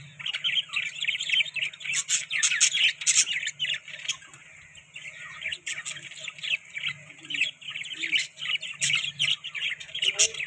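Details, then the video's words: A flock of budgerigars eating soft food squawks and chirps almost nonstop, dense high chatter with sharp clicks, over a low steady hum. "Beautiful Budgies Eating Soft Food|Budgies Chirping Sound"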